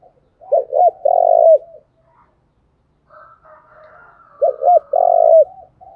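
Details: Spotted dove used as a decoy to draw wild doves to call; low hollow cooing phrases repeated about four seconds apart, each a stuttered pair of notes ending in a long coo, faint coos between.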